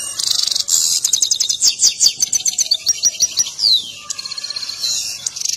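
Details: Excited European goldfinch, dancing while it sings, pours out a busy high song of fast buzzy trills, clipped tinkling notes and a sweeping downslurred whistle, with scarcely any pause.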